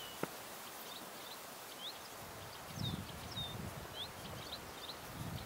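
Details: A green sandpiper calling at ponds in Buda Stalowska, Sandomierz Forest, gives a series of short, clear, high whistled notes spread through the recording, with a sharp click near the start, low rumbling sounds in the middle and steady outdoor hiss.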